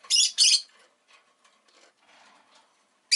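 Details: Pet rosy-faced lovebird giving two quick loud, harsh chirps, then soft low chatter before a final sharp chirp.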